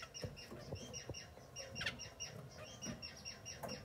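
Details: Masked grass finch calls: clipped, nasal, evenly spaced chirping notes repeated several times a second, with one louder, rising call midway and soft low thumps in the background.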